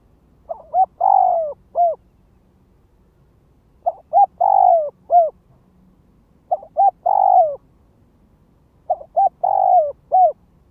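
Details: Lure calling by a spotted dove decoy bird: four repeated phrases of deep coos, each with quick short notes, a long sliding coo and a closing note, spaced about two and a half seconds apart.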